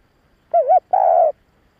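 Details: A single two-part coo from a spotted dove, used to lure and excite males: a wobbling first note then a sustained level coo, clean and quiet behind.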